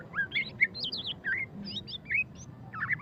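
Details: White-rumped shama (murai batu) singing ngeriwik style: quick twittering phrases of high slurred chirps and whistles, rising and falling, with a brief lull before a final burst.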